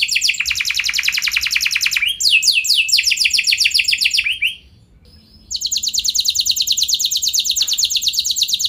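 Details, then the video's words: Canary lure song, meant to make other canaries sing long rolls: rapid dense trills, a rolling sweep series, a short pause, then a long fast even trill. "Pancingan Burung Kenari Nembak Mantap! Buat Kenari Lain Pasti Langsung Ikut Gacor Ngeroll Panjang"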